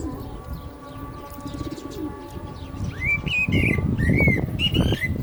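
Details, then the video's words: Common blackbird singing at the time of the call to prayer. After three seconds a series of rising, fluty whistled phrases begins, mixed with high twitters. Low rumbling noise and the sustained chant continue underneath. "Lovely Black Bird Voice صوت المسوود مع الاذان - طائر المسود مع الاذان"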